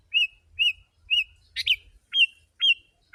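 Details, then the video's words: Lure recording of a sooty-headed bulbul singing densely to draw in wild birds: clear slurred whistles every half second, one burbling double note mid-way, then sharper rising-then-level whistles. "Kutilang si.ladusing super gacor suara rapat menekan burung liar"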